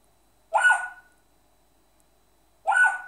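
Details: Hiccup imitation by an African grey parrot mimicking its owner: a pair of clipped, throaty hiccup noises roughly two seconds apart in an otherwise silent indoor setting.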